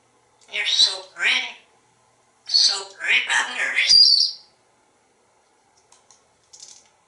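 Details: A talkative pet African grey parrot at home in Texas produces several hissy, speech-like syllables in two bursts, ending with a thin high whistle. Faint clicks trail off in the quiet room.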